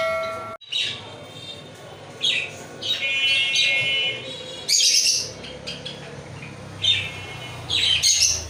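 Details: Lovebird calling in sharp, high, squeaky bursts spaced irregularly across several seconds. Some notes are harsh and broadband, others thinner and more tonal, with quiet gaps between the outbursts.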